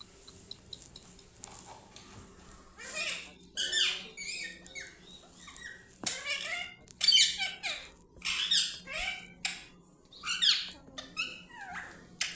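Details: Angry parrot making harsh, buzzy squawks and screeches in bursts of about a second, with short quiet gaps between them. A faint steady hum sits underneath, and a squeak is heard early on.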